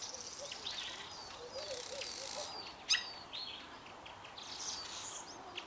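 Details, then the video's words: A pair of Fork-tailed Drongos singing together: sparse, varied high whistled notes and short slurred phrases, one sharp click near the middle, plus soft low warbled notes underneath. "Fork-tailed Drongos singing"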